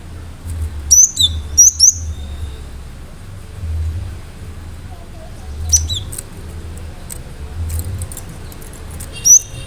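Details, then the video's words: Persistent Cinereous tit song with sharp notes, played to draw responses from other birds: a few high whistled phrases early on, later isolated notes, with steady low rumble and background clicks throughout. "Gelatik batu gacor awas burung mu akan ikutan gacor"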